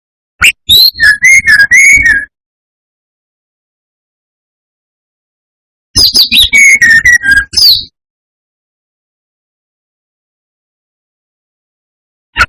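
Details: Lure song of a brown-chested jungle flycatcher, meant to rile other males: two phrases about five seconds apart, each opening with quick sharp high notes and settling into a run of steady mid-pitched whistles.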